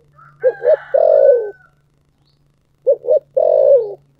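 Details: Two phrases of a spotted dove cooing in thổ sấm voice, each with a pair of short notes and then a long, gently sliding coo. A faint higher whistle sounds early and a low hum runs throughout.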